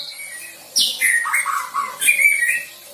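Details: Young white-rumped shama, just past its spotted juvenile stage, practising song with learned filler material: after a quiet start, a burst of varied whistled notes, some sliding down, others short and bright, in quick succession.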